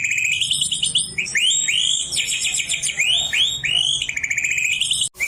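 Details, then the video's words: Oriental magpie-robin kept in a cage, singing shama-style phrases it picked up as a juvenile beside a white-rumped shama: rising whistled slurs, scratchy trills and buzzy notes, continuous and loud, ending abruptly with a click. "Kacer gacor ngeplong isi an murai"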